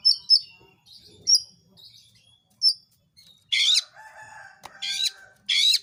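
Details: Oriental magpie-robin song used to provoke other magpie-robins into fighting song: high whistled notes followed by loud harsh rasping bursts repeated three times, with a sharp click.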